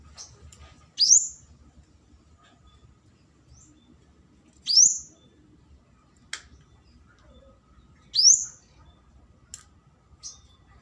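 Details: Flowerpecker used as a lure to call a rival: a thin, very high upward-flicking squeak roughly every three and a half seconds, with brief faint ticks between.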